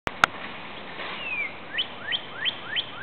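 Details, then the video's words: Northern Cardinal near a lake in woods, morning: one slurred downward whistle, then a quick series of five clear rising whistles about three per second, preceded by two sharp clicks. "Northern Cardinal"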